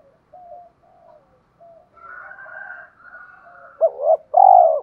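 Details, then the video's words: Spotted dove calling, a recording used to excite wild doves and train decoys: faint low coos and a brief higher warbling passage, ending in two strong, mellow hooting coos. "Tiếng chim cu gáy kích bổi mới nhanh nổi, giúp bổi rất xiêng gáy và luyện chim mồi căng lửa"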